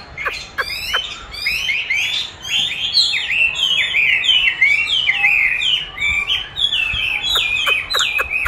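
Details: Chinese hwamei singing against playback of its own recorded song during training, pouring out rapid looping whistles and down-slurred notes without pause, with a few sharp clicks near the start and over a low murmur.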